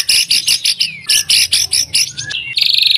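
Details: White-rumped shama in full song, played to prompt other shamas to answer. Loud, evenly spaced buzzy chirps, about five per second, end in a fast trilled rattle.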